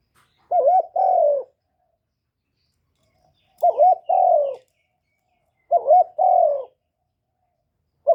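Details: Caged decoy spotted dove cooing to stir other captive doves into calling; three phrases about three seconds apart, each a quick wavering double note followed by a longer falling coo, clean with no background.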